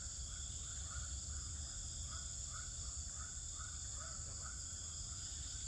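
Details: Swiftlets in a swiftlet house in Pekanbaru, Indonesia: short chirps repeated roughly every half second, with a lower downslurred note near the end, over a steady high-pitched hiss and low rumble.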